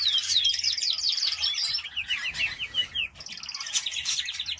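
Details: Aviary canaries singing fast high trills and rolling phrases, with a run of descending chirped notes in the middle, a brief break, then more rapid trilling; faint low hum beneath.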